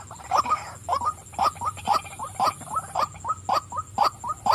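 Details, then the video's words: Steady series of harsh, nasal 'wak' croaks from a calling female white-breasted waterhen, about two per second, evenly spaced for over four seconds. "burung wak wak betina suka memanggil.."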